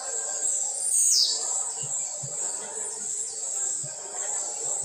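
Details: Blue-black grassquit in home training opens with one sharp buzzy note sliding down in pitch, then a steady high hiss with a few soft low taps.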